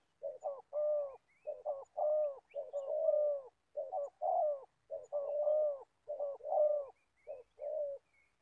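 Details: Decoy spotted dove, an old bird used to lure wild doves in Gia Lai, calls continuously with rhythmic low coo phrases, quick double notes followed by drawn-out hollow ones, almost without pause.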